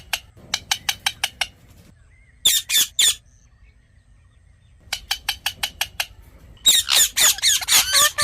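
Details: Rose-ringed parakeet, a ringneck parrot; a fast run of sharp, harsh squawks, then a short burst, another rapid series and a dense cluster of raspy screeches near the end, with quiet gaps between.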